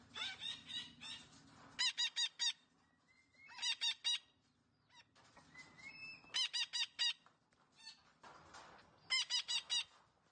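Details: Green parrot gives bursts of four or five harsh, nasal syllables every two to three seconds, with rougher chattering and squawks in between.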